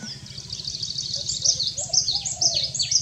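Asian paradise flycatcher giving thin, high notes that sweep sharply downward, about two per second, over a faint low rumble.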